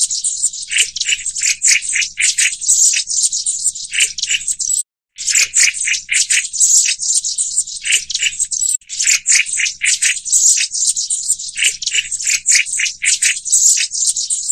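Black-throated Bushtits give a busy run of high, dry, buzzy rattles and thin chips, packed closely together with only brief pauses.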